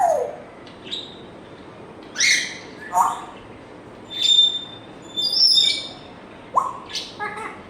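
A grey parrot runs through a medley of short whistles, pure beeps and harsh noisy bursts, like a string of phone tones, spaced every second or so.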